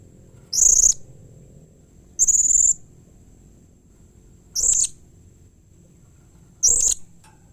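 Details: Four separate shrill, very high buzzy screeches spaced one to two seconds apart from a blue-crowned hanging parrot, a call said to prompt quick answers from other hanging parrots; steady low hum.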